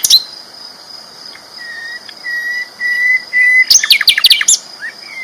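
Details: Sikatan londo flycatcher with a loud training song: a sharp note, then a sustained flat mid-high whistle, followed by a fast scratchy burst of high notes and a short rising whistle. A continuous high tone runs throughout.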